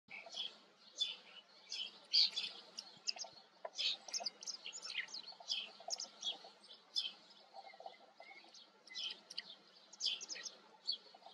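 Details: White wagtail giving bursts of short, sharp, high chirps and twitters, clustered in quick runs with brief pauses, continuing steadily for several seconds against a faint low background hum.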